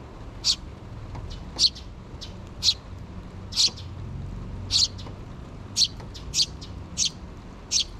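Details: Recorded on 6 June 2023, a pair of sparrow nestlings that have not yet fledged beg their parents for food, mother bird present; sharp, rasping high-pitched chirps repeat irregularly, roughly once a second, above a quiet low rumble.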